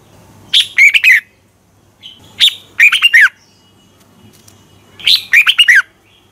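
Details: Red-whiskered bulbul in competitive morning song, played to coax other birds into singing: three loud, chirpy phrases of rapid twisting notes, each under a second long, arriving about every two seconds over a quiet low drone.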